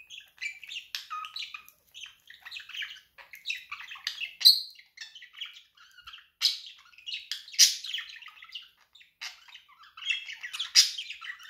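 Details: Pet budgerigar in continuous busy warbling chatter, a dense stream of scratchy chirps, clicks and squeaky notes with frequent louder squawk-like peaks, lasting over eleven seconds.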